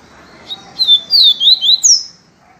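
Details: Yellow-breasted seedeater singing its viviti song: a brief chip, then a rapid series of bright, slurred whistles that dip and rise, finishing with one higher descending note.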